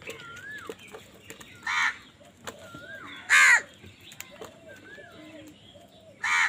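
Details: Crows quarrelling with wild birds for food: three loud, rasping caws spread across the recording, amid curling whistled notes and short calls from smaller birds.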